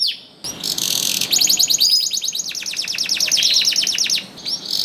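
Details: Canary singing to stimulate hesitant canaries: after a brief pause, a long rapid trill of high ticking notes slides lower midway, ending in short high chirps.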